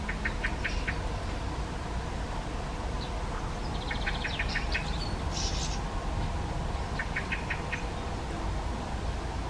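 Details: Garden Hawfinch uttering quick groups of three to five sharp, clicking tick notes, with gaps between bursts and continuous low-pitched background noise.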